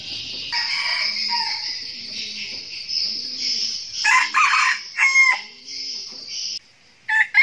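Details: Crowing of a red junglefowl decoy rooster used to lure wild cocks: a hoarse, segmented crow in several bursts midway, a clipped start of another at the end, and a continuous insect hum throughout.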